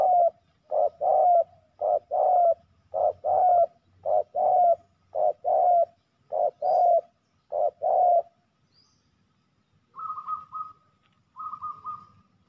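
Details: Rival male spotted doves fight hard at a ground decoy site. A long steady series of paired low coos repeats regularly for eight seconds, then pauses. Two higher, flatter notes follow near the end.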